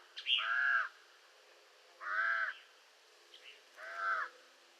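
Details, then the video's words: Common raven making three hoarse caws about two seconds apart, the first opening with a brief higher rising note before the rough main call. "Raven Sound | Mysterious Calls of One of Nature’s Smartest Birds"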